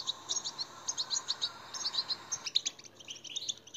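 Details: European goldfinch song used to stimulate captive goldfinches: quick, thin twittering chirps run in a steady, lively stream, with a denser, brighter burst of notes in the last second.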